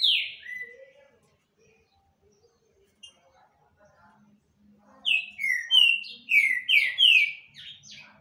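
A Green-winged Saltator sings loud, clear whistled notes that slide downward, then a quick run of about eight ringing whistles near the end over a faint low hum.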